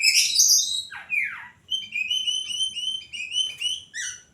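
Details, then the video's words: Common tailorbird singing at night: loud high sweeping notes drop steeply at first, then a run of short clipped chirps repeats about three times a second on two steady pitches. "poci gacor di trek malam hari"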